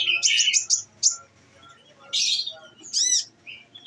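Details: Olive-backed sunbird in captivity, fed nectar, giving its 'nembak' shooting-style song. A cluster of fast, high chirps comes first. After a pause, two separate bright buzzy bursts follow, then a faint closing note.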